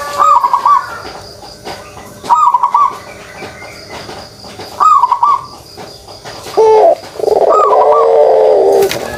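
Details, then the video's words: Pelung dove giving its kugeruk coo: three short, hoarse rolling coos about every 2.5 seconds, then a longer, fuller rolling coo near the end, over a faint background hiss. "suara kugeruk burung puter pelung"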